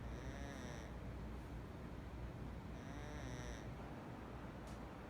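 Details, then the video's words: A pet Double Yellow-headed Amazon parrot snoring: two soft, raspy, drawn-out snoring breaths about two seconds apart, over a steady low background rumble. "Snoring Double yellow Headed Amazon parrot"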